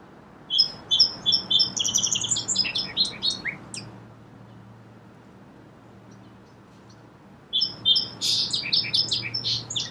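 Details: Song sparrow song in two bouts: each starts with crisp, high repeated notes that tumble into a rapid jumble of chirps, separated by several seconds of quiet.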